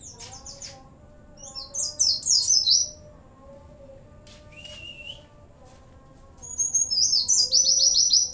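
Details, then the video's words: Oriental white-eye in full, lively song, its phrases filled with cililin, bren and cigun imitations: dense bursts of very high, rapid twittering notes around two seconds long, separated by quieter gaps with one lower rising whistle. "pleci gacor isian CiLiLin sambung bren cigun"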